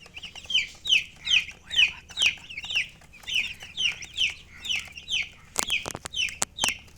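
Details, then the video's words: Chicken chirping: high, bright peeping notes, each sliding slightly downward, repeated steadily about twice a second, with a few sharp clicks near the end. "silly chicken chirping sounds"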